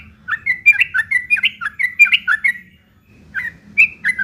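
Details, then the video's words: Sooty-headed bulbul giving a rough chattering 'ngeriwik' phrase used as tutor material for long-tailed shrikes. About fourteen rapid harsh notes rise and fall, then a brief pause, and the bursts resume, over faint low hum. "trucuk ngeriwik kasar isian burung CENDET"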